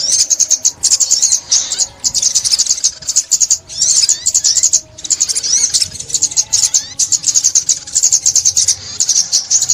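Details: Sunbird called ốc mít, taped in 2021 for trapping, giving sustained high, sibilant twittering song in fast runs, broken by a few brief silences, over a quiet low hum.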